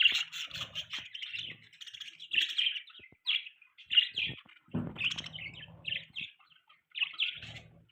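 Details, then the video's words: Budgerigar chatter made of short bursts of raspy, twittering chirps separated by brief gaps, with a low droning sound under the middle of the run. "Beautiful budgie chirping sound, budgies chirping sounds, budgie beautiful voice"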